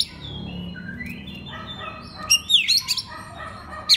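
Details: Oriental magpie-robin song used as training material for other magpie-robins: soft gliding whistles early on, then a short burst of sharp sliding notes and chirps, ending with one bright flourish; faint continuous background hiss.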